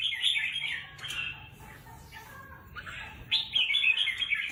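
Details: Captive red-whiskered bulbul bred for song competition sings fast chattering, warbled phrases, fading briefly in the middle, then a loud renewed burst of rapid bright notes.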